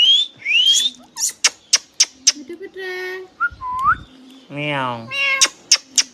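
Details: Hand-tame pet ringneck parrot mixing upward whistles, sharp clicks and buzzy harmonic speech-like syllables, including a long vowel-like call, in a small room.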